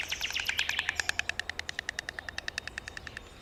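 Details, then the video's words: A White Stork, a bird almost without a voice, clatters its bill in a fast, steady run of dry wooden clacks, roughly ten a second, slowing slightly toward the end, over a faint low rumble. "Звуки лелеки: клекіт як мова без голосу"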